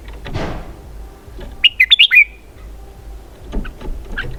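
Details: Red-whiskered bulbul delivers one loud, quick phrase of five warbled, slurred notes, after a soft rustling sound and with faint chirps afterward.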